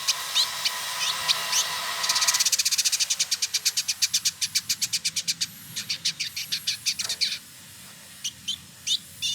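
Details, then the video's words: Caged male village indigobird from Bandung, West Java, Indonesia: scattered high chips give way to a long, rapid, evenly pulsed rattle of buzzy notes around four per second, then slower separate chirps at the end. "Burung Masteran Village Indigo Trotol Gacor"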